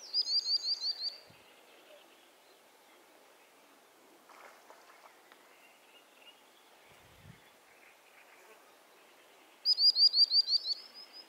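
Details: Common sandpipers calling to one another; a quick series of about seven sharp, high, piping notes opens, followed by a long quiet stretch of faint background hiss, then another rapid run of high piping notes at the end.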